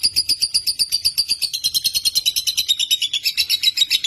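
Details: Lovebird in Indonesia delivering a short burst of rapid, evenly pulsed shrill chirps, bright and ringing, some notes slurring slightly upward toward the end.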